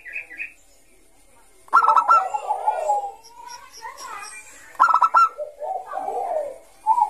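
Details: Zebra dove of Bangkok type in ngayer song, used to lure young doves: two loud bursts of rapid staccato notes, each followed by lower, rolling, warbled cooing, with quiet gaps between phrases.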